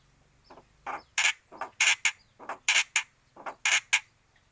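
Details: Angry starling (jalak) giving loud, harsh rasping screeches. About ten broad noisy bursts come in 4.5 seconds, some doubled and uneven in spacing, with a faint low hum between calls.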